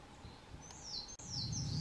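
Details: Narcissus flycatcher, a summer visitor, on Mount Rokko, Hyogo, Japan, 21 May 2020, sings high, clear whistled phrases that slide downward, two short strands in under two seconds, over a low rumble of wind.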